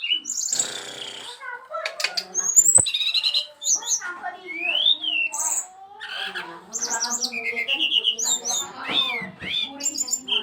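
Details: Varied, busy brown-chested jungle flycatcher song of rapid chirps, squeaky slurred notes, brief rising-and-falling whistles and harsher squawky bursts, delivered in quick succession with short pauses.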